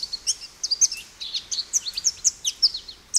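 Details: American goldfinch uttering a steady stream of short, high, sweet chirps and warbled notes, evenly spaced, over a faint background hiss.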